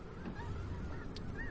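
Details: An estimated forty to fifty thousand migrating snow geese feeding in a leftover barley field near Freezeout Lake, Choteau, Montana, give faint, overlapping nasal honks and yelps, half-buried under a steady low rumble of wind.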